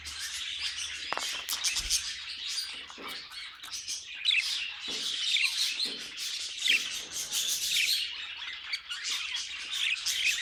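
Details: Several pet budgerigars singing, with a busy, bubbling warble of high chirps and rapid trills rising into short louder bursts. A soft low knock sounds early on.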